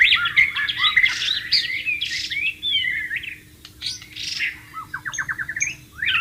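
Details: Free-living white-rumped shama near a stream, delivering a dense jumble of whistled and chattering notes, then a quick rising series of clipped, repeated notes and a final upward slur, low hum behind.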